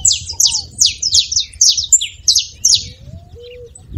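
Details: Quick series of bright, descending high chips from a saffron finch, meant to stimulate a silent canary, fading out near the end, where a lower drawn-out whistle sounds.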